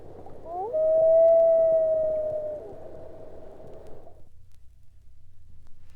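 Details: Common Loon type one wail, a single tone at E flat in the octave above middle C, used when a loon wants to interact with another, such as a parent seeking a lost chick: one sustained, pure, mournful note held about two seconds, then fading over background hiss.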